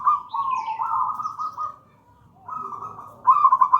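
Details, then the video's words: Wild local gedang rojo zebra dove singing as a master song: a sustained rolling coo lasting nearly two seconds, a short gap, then a softer phrase and a sharp, loud pulsed trill. "Perkutut lokal gedang rojo gacor merdu bird voice"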